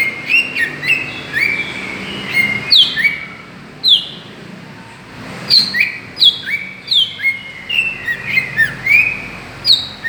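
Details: Lure calls of a greater green leafbird, meant to provoke other birds; a lively string of high whistled slurs, sweeping up and down, delivered in quick varied phrases with brief pauses between.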